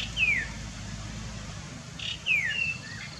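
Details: Chestnut-capped babbler giving two sharp, downward-slurring whistled notes about two seconds apart, the second followed by a short level whistle, over a low background hum.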